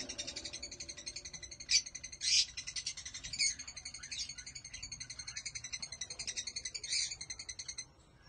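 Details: African lovebirds (Agapornis) kept by breeders: a steady, fast, pulsing high chatter from several birds, broken by louder harsh shrieks near two, three and seven seconds, fading out at the end.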